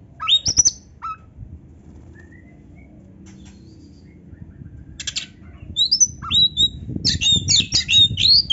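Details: Oriental magpie-robin singing a vigorous, ornate filled song (gacor, full isian, narung) with tail-flaring display: a few high whistled notes, a pause, then a dense run of sharp, varied rising and falling whistles.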